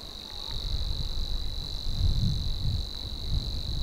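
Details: Savi's warbler reeling in polder reedland of the Nieuwe Dordtse Biesbosch, Netherlands: a steady, fast, insect-like buzz held without a break, with low rumbling wind noise underneath.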